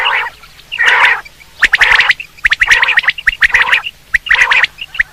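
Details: Hunting quail call: loud, repeated harsh rasping bursts overlapping rapid sharp whistled notes, the notes often in threes, forming a busy, continuous chatter.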